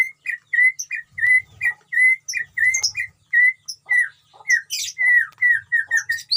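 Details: Caged white-rumped shama in a colony enclosure on a breeding farm, delivering a quick string of repeated clear mid-pitched whistled notes, mixed with high thin chips and occasional buzzy bursts.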